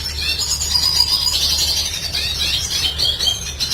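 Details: Red siskin in full song, recorded as tutoring material for cage birds: continuous high twittering and buzzy warbling with fast chattering notes, no pauses, faint low hum beneath.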